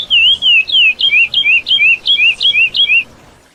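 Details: Curió, or lesser seed finch, singing a tutor song for young birds: a run of bright, looping whistled notes in rapid even succession that stops abruptly after three seconds, followed by near silence.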